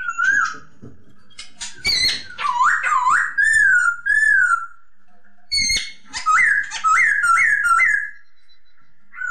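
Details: Masked laughingthrush in song: rich whistled phrases, some slurred and warbling, broken by a couple of harsh bursts, then a quick series of four or five bouncing, looping whistles.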